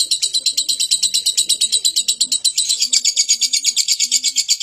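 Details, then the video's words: Talkative lovebird in a long ngekek chattering bout, with fast, steady, scratchy high-pitched chirps repeated in an unbroken rhythm, and soft low murmuring tones underneath. "LOVE BIRD CEREWET NGEKEK PANJANG"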